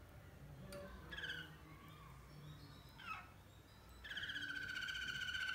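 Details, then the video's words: Malinois canary singing without faults: several separate slurred and descending notes, then a steady low-pitched rolling trill of rapid pulses starting near the end. "Canari Malinois Chante sans fautes"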